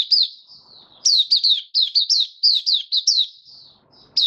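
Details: A caged white-eye (mata puteh) named Kitaro, recorded 23 March 2022 in warm humid weather, sings a rapid, high, thin twitter of sweet slurred notes, about four a second, in two short bursts with a brief pause.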